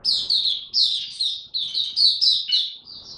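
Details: Oriental white-eye in training, caged, delivering a fast continuous run of high, sweet downslurred notes, about four per second, bright and chattering throughout.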